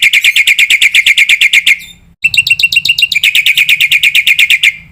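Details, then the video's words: Full-phrase black-winged myna recording used to train other birds: loud, evenly pulsed harsh chips about three per second, a short break, then clicks and the same rasping rhythmic series resuming. "suara masteran jalak putih full isian"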